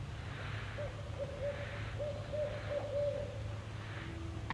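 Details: Barred owl in June woodland, one seen from about ten feet away: a run of five or six even, mellow hoots spread over about three seconds, over a steady low hum.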